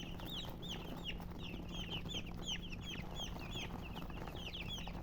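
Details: Chicks of domestic chicken chirping, bright falling peeps from several birds scattered at a lively pace, accompanied by a steady low electrical hum.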